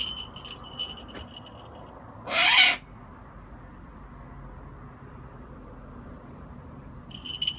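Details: Eurasian eagle-owl giving one short, harsh, rasping screech of about half a second, broad and noisy, then quiet; faint high ringing tones before and after, over a low background rumble.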